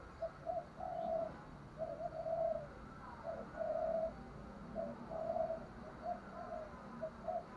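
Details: Spotted dove giving a luring call: a soft run of low cooing notes, each short and hollow, in small clusters about one per second over a steady background hiss.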